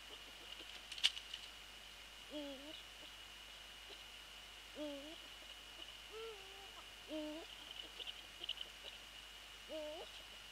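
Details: Eurasian eagle-owl visiting its nest at night, 20 January 2014, just after 21:00; about five short, low, slurred hoots at irregular intervals, each bending in pitch, over a steady high electrical whine.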